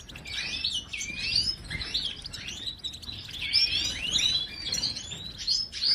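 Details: Goldfinch singing, possibly a breeding bird: a fast jumble of high twittering chirps and liquid slurred notes, continuous over faint low background hiss.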